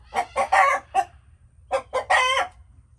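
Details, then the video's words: A chicken gives a few quick clucks and a rasping squawk, falls silent briefly, then repeats with a couple of clucks and a longer, strained squawk. "Chickens making noises"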